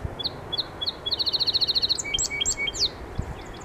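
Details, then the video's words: Song sparrow song: three clear introductory notes, then a fast bright trill and a jumbled finish of sweeping, buzzy notes, over a low background hum. "Song Sparrow"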